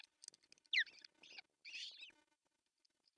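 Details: At the osprey nest in northern Satakunta, Finland, June 10, 2024, as the male brings breakfast fish: a sharp rising whistle, then a longer harsh, scratchy call, with faint chirps around them.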